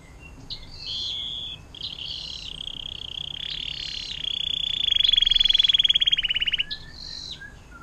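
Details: Canary with a long 'air mancuran' song for tutoring murai batu, cucak ijo and cendet: brief high notes lead into a long, even trill that swells into a loud, fast rolling pulse.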